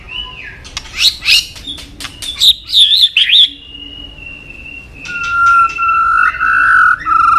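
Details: Song of the white-rumped shama, a songbird fans eagerly seek: scattered sharp chips and warbles, then a long, steady whistled note held for several seconds over a lower wavering tone.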